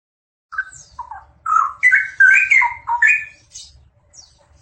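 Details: Two straw-headed bulbuls singing together: a quiet opening whistle, then a fast, bubbling run of loud liquid notes rising and falling in a jumbled phrase, with faint high chips after.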